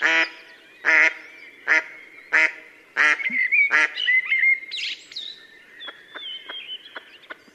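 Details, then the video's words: A female mallard gives about six loud, harsh, nasal quacks at roughly one per second at sunset during mallard courtship, near Yelno, Novgorod oblast, Russia, 8 April 2015; thin, high whistled notes from other birds follow. "Свадьбы (голоса) крякв"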